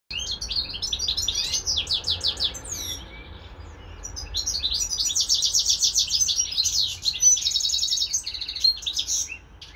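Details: European goldfinch, a kept bird housed with a serin x canary hybrid, singing fast liquid twittering phrases with buzzy trills, with a quieter pause near three seconds before the song resumes loudly. A faint low hum runs underneath.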